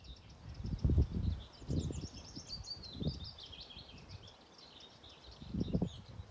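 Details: Willow Warbler song in Lilla Dalby Bjärby nature reserve, Öland, Sweden, on 20 May 2023. It is a faint, high, sweet phrase of soft notes sliding gently downward. A Nightingale joins toward the end of the recording. Low gusts of wind and rumbling come and go underneath.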